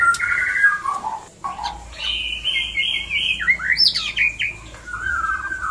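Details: White-rumped shama mating call used to stimulate breeding: varied whistled phrases, a descending slurred note, then a long steady mid-pitched whistle, rising sharp notes and a falling phrase, with faint background hum.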